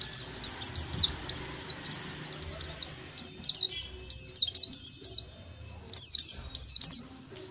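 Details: Oriental white-eye song used as a lure so kept birds start singing: high, rapid, zigzagging chirps grouped in short phrases of two or three, with brief gaps, over faint low background noise.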